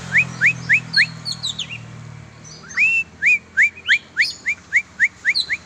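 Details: Oriental magpie-robin, kept and being exercised, repeats bright rising whistled notes several times a second, broken by a short burst of higher chirps, against a low background hum.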